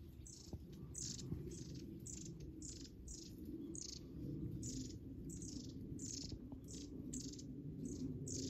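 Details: Various wild birds calling from inside a dense thicket; short, high, sharp chirps, each sliding downward, repeat about every half second over a steady low rumble.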